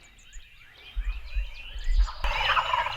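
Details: Wild Turkey gobbling during Illinois spring turkey season, 2020, as young gobblers approach decoys on a morning hunt; a loud, coarse rattling burst arrives after two seconds of thin chirping songbirds.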